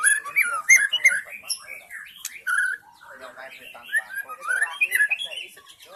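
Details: White-rumped shama of the forest, a lure recording for wild shamas: rapid varied phrases mixing liquid whistles, chattering trills and a few long slurred notes, delivered almost without pause.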